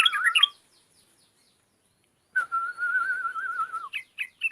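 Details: Energetic yellow-vented bulbul singing: a short gurgling burst, a pause of nearly two seconds, then a long rolling warble on one wavering pitch trailing into separate chirpy notes, recorded close and clear.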